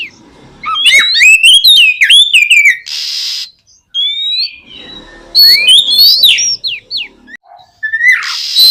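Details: Oriental magpie-robin song for prompting other magpie-robins into song: rapid twisting whistles and chirps in two long bursts with a short hissy note between them.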